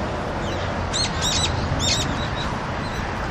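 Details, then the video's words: Brown-eared bulbuls on a Seoul rooftop, Korea, on a very cold winter day, 6 February 2020, come to drink because the water has frozen elsewhere; a quick cluster of shrill, high chirping notes over steady city hum. "직박구리 겨울 물먹는 모습"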